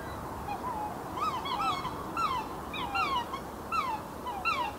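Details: Black swans at Pekapeka wetlands reserve in the morning, looking to fight for mates, give repeated high, bugling honks that slur up then down, about one a second, over a steady low rumble of traffic from the nearby highway.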